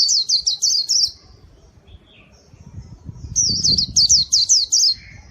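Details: Two quick bursts of shrill, very high trilled chirps from a gacor pleci white-eye, used to lure wild birds; a short quiet gap separates the runs.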